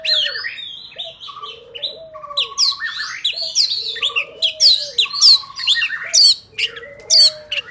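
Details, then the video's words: Oriental magpie-robin in forest voice, a recording for trapping and for training young birds: rich, varied warbling and ringing whistles, some sharp high notes, over repeated low, soft cooing from another bird throughout. "Chòe than hót giọng rừng cực phê | File đi bẫy ép giọng chim non"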